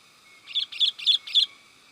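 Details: Lively sooty-headed bulbul calling, meant to excite and attract wild bulbuls: four short bright chirps in an even rhythm, about one every quarter second, over a faint steady hum.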